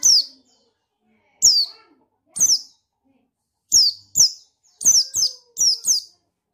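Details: Repeated piercing, falling notes of a male buxtoni white-eye meant to trigger song in others, spaced irregularly at first and then bunched into rapid pairs and triplets toward the end, with a faint low whistle underneath.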